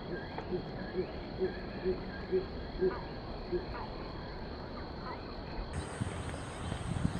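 A cinnamon bittern gives a series of about eight low, hollow croaks, roughly two per second, fading out after a few seconds over steady low rumbling background noise.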